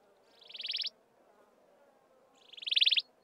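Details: Wailing cisticola of the browner, heavier-billed maculatus subspecies, at Mountain Zebra National Park, gives two high, buzzy, rapidly pulsed trills about two seconds apart, each swelling louder before cutting off, over a quiet background.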